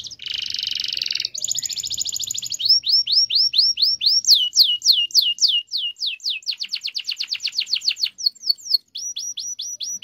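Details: Canary song used to prompt silent canaries to sing, in the long rolling cuit-cuit style: a buzzy trill, then a bright fast rattle, then repeated rising whistled sweeps and rapid rolled trills, loud throughout.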